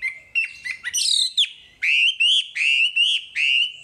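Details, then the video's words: Wambi masteran song: a scratchy, jumbled opening followed by five clear, steady whistled notes, each slightly rising and evenly repeated about every third of a second. "Masteran Wambi paling istimewa full materi"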